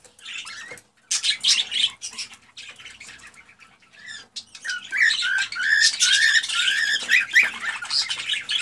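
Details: Male cockatiel's excited song to stimulate a female to breed, heard as continuous scratchy chatter mixed with whistled notes, loudest and densest in the second half, against faint background noise.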